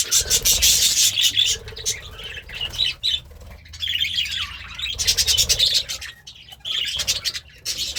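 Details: Pet budgie, described as happy and eating greens, chirping and singing in fast, busy warbled phrases of high squeaky notes and clicks, broken by short gaps of a few tenths of a second.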